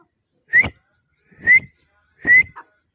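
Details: Partridge, locally called dakhni teetar: three loud, clear whistled notes, each sliding slightly upward, spaced just under a second apart against an otherwise quiet background.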